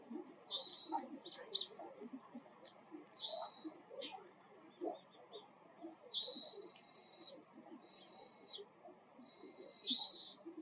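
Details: Oriental greenfinch, whose song is a buzzy 'biin' and call a twittering 'kiri-kiri koro-koro': short high chirps early, then three longer buzzy trilled phrases about every one and a half seconds, over faint low background noise.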